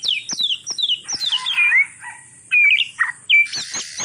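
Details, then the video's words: Mating call of an oriental magpie-robin, said to bring other birds into breeding condition. Sweet downslurred whistles are mixed with squawky, buzzy notes and a few sharp, clear whistles. "Suara Kacer kawin"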